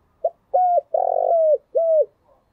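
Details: Decoy spotted dove calling to lure others: a brief soft note, then a hollow coo, a long buzzy coo that falls away at its end, and a last clear coo, all low-pitched against a quiet background.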